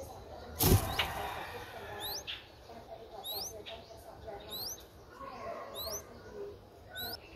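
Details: Streak-eared Bulbul nestling, four days old, in Ubon Ratchathani, Thailand, on 6 April 2023: thin, high, upslurred squeaks repeated roughly every second, faint over a low background hum, with a loud thump near the start.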